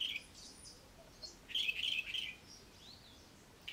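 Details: High chirps and a brief rapid trill from a Cape robin-chat in a garden, followed by a faint gliding whistle, with long quiet gaps.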